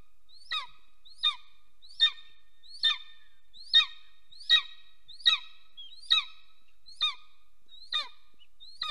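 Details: Golden eagles mating at their nest in Soomaa National Park, Estonia, on 17 March 2024, mid-morning; a long steady run of eleven high, sharp, descending yelps, spaced under a second apart.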